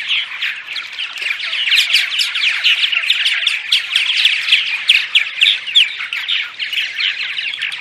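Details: Morning vocalizations of a purple martin group, played to attract martins: rapid crackling chirps, close to four a second, forming a dense unbroken gurgling chorus.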